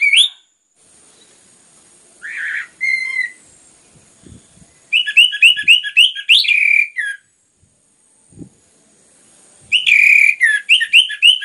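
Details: Singing orange-headed thrush, a recording meant to provoke other birds into song; short whistled notes, then dense repeated chattering phrases of rapid notes, with quiet gaps and faint low clicks in the background.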